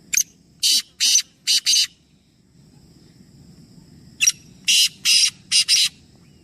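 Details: Three black francolins: two full phrases of harsh, grating, buzzy notes, each opening with a short sharp note followed by about four rapid rasping notes, with a pause of roughly two seconds between phrases and a quiet low rumble behind.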